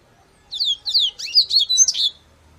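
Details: A short papa-capim (yellow-bellied seedeater) song: a rapid string of high, sharp chirps and slurred notes in roughly six bursts over about one and a half seconds, with near-silent surroundings.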